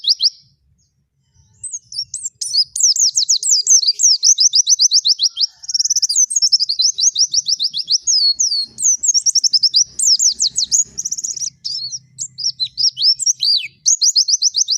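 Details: White-eye, forest-style singing used as a training recording, delivering long rapid runs of high, thin chirps and sliding whistled notes, many quick repeated slurs in bursts after a brief silence at the start, with faint low background rumble.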